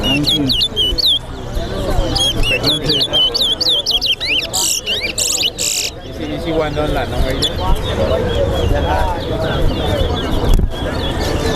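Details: Towa-towa birds in a singing competition at Better Hope Bird Ground; rapid chirped and whistled phrases with sharp sliding notes, dense in the first half, then fading under loud crowd talk and background noise.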